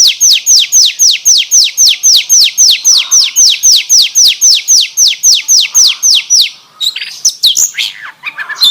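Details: Oriental magpie-robin song filled with canary phrases: a fast series of sharp, down-slurred whistles, about four each second and very even, then breaking into a jumble of varied chirps and twitters near the end.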